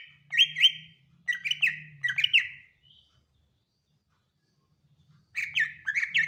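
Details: Greater green leafbird delivering clusters of two or three throaty whistled notes, a long pause, then another burst of similar paired whistles, with a faint low hum underneath.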